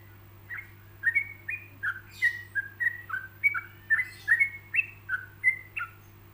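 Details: Spaced phrasing meant as a teaching model for other yellow-vented bulbuls: chains of liquid, warbled whistles rising and falling, some upslurred notes, repeated steadily for six seconds against a constant low hum.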